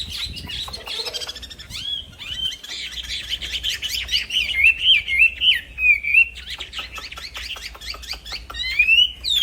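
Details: Black-throated laughingthrush, kept in an aviary, singing nonstop as a master song for training other songbirds: a fast, varied run of high whistled and chattering notes, with sliding phrases, sharp clicks and a rising whistle at the end.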